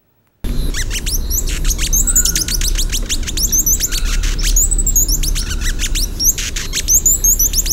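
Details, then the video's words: A hummingbird sings a learned song: a rapid run of thin, high, squeaky chirps and buzzy notes, complex syllables morphing gradually one into the next, over a steady low rumble. "So, what you just heard was a hummingbird song that's learned"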